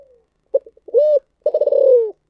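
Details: Spotted dove of the thổ sấm voice style: a few short clipped notes, then a smooth held coo, then a long rolling, pulsed coo that slowly falls in pitch, with no other sounds.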